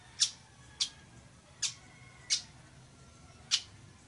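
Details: Village weaver uttering five brief, grating chips at irregular gaps, the last after a longer pause, over a soft steady low hum.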